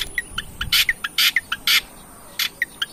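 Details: Long-tailed shrike, recording used as a lure to provoke singing: loud harsh rasping bursts alternating with short sharp chipping notes, with a steady high whine in the background.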